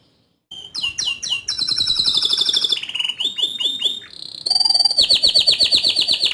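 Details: Canary delivering fast repeated sweeping notes that run into long rolling trills and rattles, bright and high, ending in a loud sustained buzzy trill.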